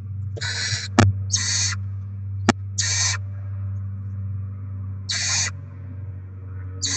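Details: Rodent deliveries at a barn owl nest on 7 February 2024 while the young are fed: five noisy, rasping hiss bursts, uneven in spacing, plus two sharp clicks over a constant low hum.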